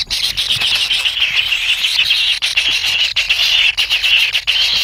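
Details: Kingfisher young in the nest beg impatiently for food from the adult. There is a dense, high, scratchy trilling hiss with a few sharp ticks and short pauses.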